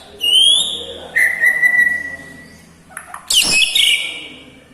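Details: White-rumped shama performing a mimicry-rich song of lovebird, kapas tembak and cucak jenggot imitations; a rising whistle, a long level whistle, then a harsh, noisy burst running into scratchy chatter.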